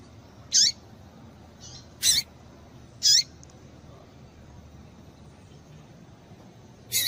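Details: Female double-collared seedeater calling to stimulate males into singing: short, very high, harsh chips given singly at irregular gaps of one to four seconds over a low steady hum.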